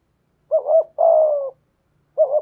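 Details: Decoy spotted dove with a 'thổ'-style voice: a short two-part hooting note leads into a sustained, gently descending coo, and after a silence the quick double note begins again; no other sounds.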